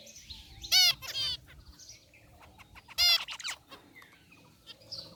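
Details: Aviary zebra finches, white and gray birds together in a cage, utter two strong nasal, buzzy honks about two seconds apart, each followed by a softer echoing note, over faint chirping.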